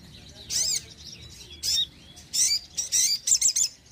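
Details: Sogon, used as a lure and to get sluggish birds singing, gives several short, loud bursts of shrill, squeaky chirps with sweeping whistled notes between them.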